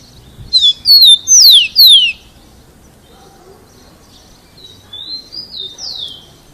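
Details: Rufous-collared sparrow singing very loudly to stimulate other sparrows to learn to sing: four loud, clear whistled notes slurring downward, then a softer, sweeter phrase of rising and falling whistles after a pause. Faint low background rumble.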